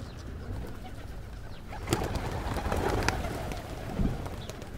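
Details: Hundreds of pigeons, with several other birds, at Pigeon Valley in Cappadocia, Turkey, give low, soft coos under sharp wing-claps and flutters near two, three and four seconds, over steady low outdoor rumble; finding: Pigeon.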